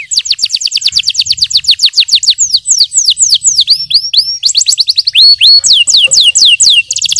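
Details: Training song of a yellow canary: a long, rapid roll of falling whistled notes, then slower curving and rising phrases, ending with a tight, fast trill.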